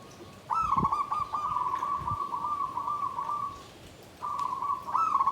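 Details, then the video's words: Zebra dove in a bamboo cage sings in the tumpang sari, klabang kapipit manner, klarr kete kuk kuk: one long, evenly trilled coo over three seconds, then a pause and a renewed rolling phrase. "SUARA PERKUTUT KLABANG KAPIPIT || TUMPANG SARI || KLARR KETE KUK KUK"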